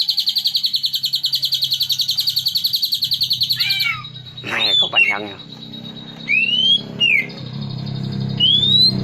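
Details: Green leafbird song played as a lure to bring out a bird's repertoire: a long fast buzzy rattle of about four seconds, then harsh wavering notes and several upward-sweeping whistles over low background noise.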